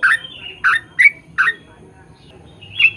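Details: Yellow-vented bulbul song used as a lure for its own kind: a handful of spaced gurgled notes with whistled tails, a long quiet stretch, then one final note.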